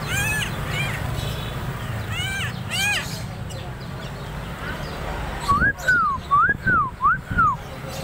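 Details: Tame, actively singing Helmeted Friarbird from Sumbawa: after some human voices, a run of five clear whistled notes, each arching up then gliding down, given in quick succession.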